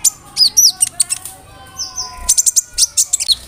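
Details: Konin bird, a leafbird kept in Indonesia, singing a lively mimicking song with cricket, brem and kamade imitations, used to tutor other songbirds: rapid high chirps and sharp whistled notes, with a short level buzzy note mid-phrase.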